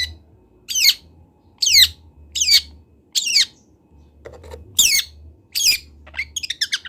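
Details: Young local long-tailed shrike from Kendal learning its song: clear, falling, slurred whistled notes repeated about once a second, then a quick run of short high chirps at the end, over a faint hum.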